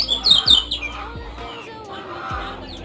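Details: Brief burst of sharp, high, descending chirps from a Lemon-bellied white-eye of Lombok, Indonesia, fading into softer background tones and a low hum.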